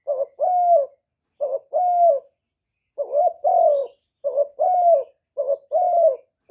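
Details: Captive spotted dove calling to rouse other kept doves; a steady series of husky two-note coos, short lead note then drawn-out level tone, repeated roughly every second and a half; no other sounds.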